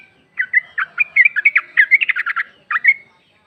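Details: Female sooty-headed bulbul (trucuk) calling the male, recording used as a lure: bubbly, chattering run of short chirpy notes, several in quick succession, then a brief pause and two final chirps.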